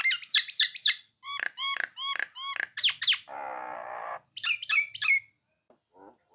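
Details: Nias hill myna singing to provoke rival birds into answering and singing along: loud rising whistles, repeated sharp clicked notes, a harsh buzzy stretch, then bright whistles and faint soft calls at the end.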